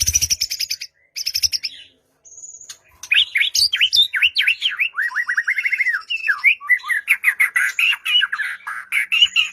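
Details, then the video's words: White-rumped shama song played as a lure to make a quiet bird start singing, for morning or evening use: high rapid buzzy trills, a brief pause, then a lively run of varied whistled and chattering notes with quick rising and falling slurs. "Murai Batu Diam Dengar Kicauan ini Seketika Langsung Nyaut GACOR"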